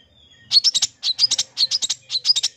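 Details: Long-tailed shrike song, full of filler phrases, used as sound therapy to get silent or sluggish birds singing: high, rapid chirp bursts in four groups of about five notes, each group about half a second long.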